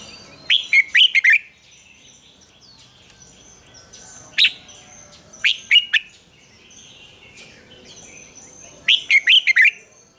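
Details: Red-whiskered bulbul's morning double-note song, like an old wild bird, used to coach other bulbuls: several groups of rapid, bright, slurred notes spread over about ten seconds, with faint high whistles between them.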